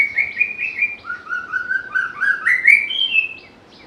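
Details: A White-rumped shama, popular for its melodious, varied singing and ability to copy other birds, pours out a lively sequence of short whistled notes, dipping lower midway and then rising to high clear tones before stopping.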